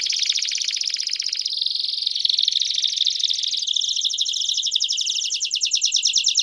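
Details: Belgian canary in loud, unbroken song: a buzzing rapid trill shifting into a smoother rolling section and then a quick pulsing trill, all high-pitched.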